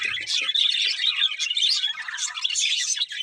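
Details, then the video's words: Budgerigars chirping in a busy chorus, dense high twittering and warbled chatter with overlapping voices, a few low knocks at the start. "Beautiful Budgies Chirping Sounds"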